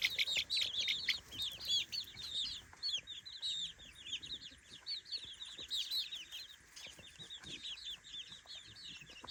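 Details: Many three-week-old baby chickens exploring their new outdoor daytime playpen, giving rapid high-pitched cheeping, short down-slurred peeps tumbling over each other in a continuous busy chatter that swells and eases throughout.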